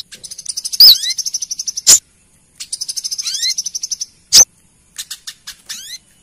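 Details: A female olive-backed sunbird, used as a lure call, calls to males with rapid runs of very high, thin chips, about ten a second, broken by short rising whistles and a few sharp clicks.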